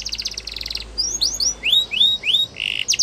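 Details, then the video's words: Yorkshire canary song used for training young canaries: a fast buzzy trill, then a series of upward-sweeping whistled notes and a brief harsh burst, over steady background hiss. "Yorkshire Canary Song | The Best Canary Training"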